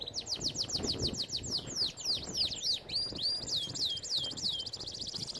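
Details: A canary sings training song in a repeated series of loud downward-swooping whistles, about four per second, shifting into a second run of curved notes with a faint trill behind.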